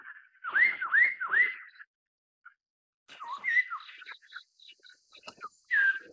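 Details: Black-throated laughingthrush (Garrulax chinensis), an introduced exotic bird in Taiwan: loud rich whistled phrases, three rising-falling notes in quick succession, then a pause and softer varied whistles and chatter, ending with another loud slurred whistle.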